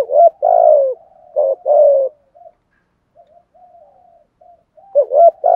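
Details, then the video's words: Spotted dove giving the 'thúc gù' and 'gáy gọi' cooing sequence: loud, hoarse, deep coos in quick groups with a falling long note, soft murmured coos in between, then the loud phrase begins again. "tiếng chim cu gáy bài bản [ Thúc Gù + Gáy gọi ] bổi nghe gáy theo liền/ cu cườm thúc gù"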